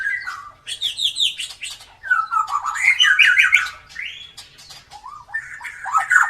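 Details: White-rumped shama with a marked tail, singing a vigorous mixed song for training other birds: quick whistled slurs, harsh chattering bursts and rolling warbles repeated in fast series.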